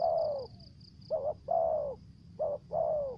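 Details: Lure spotted dove in the 'thổ dế' and 'mai rừng' voice styles: a long falling coo, then two pairs of short trembling note plus drawn-out descending coo, backed by a faint steady high buzz.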